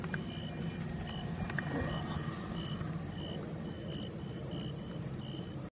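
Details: Indian nightjar at Maidahanalli, 15 August 2022, giving short, clipped, mid-high notes repeated steadily about every two-thirds of a second, over a low rumble and a constant thin insect hiss.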